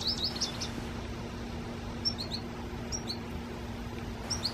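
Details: American goldfinch in a tree and drinking water: a few brief, high, thin chirps at the start, middle and end, separated by quiet gaps, with a faint steady hum behind.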